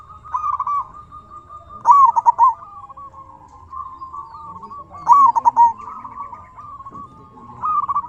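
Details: Persistent local zebra dove song used to make other doves respond: loud stuttering trill bursts spaced about three seconds apart over a soft continuous cooing background.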